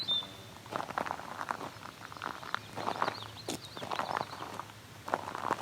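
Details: A Gray Catbird in a wetland sings a rambling run of short, squeaky, scratchy phrases with brief gaps, mimicking other birds including probably a shorebird, over faint rustling.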